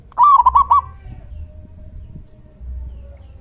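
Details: Local zebra dove with a big, deep 'kung' voice, calling to provoke other doves into answering: one quick rolling phrase of stuttered coo notes, then quiet with a low background rumble.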